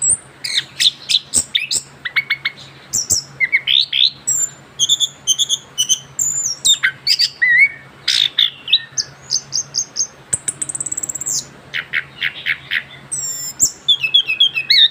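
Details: Freshly moulted young orange-headed thrush sings a long ngerol song: rapid bursts of high chips, buzzy trills and whistled slurs tumbling together almost without break, over a faint low hum.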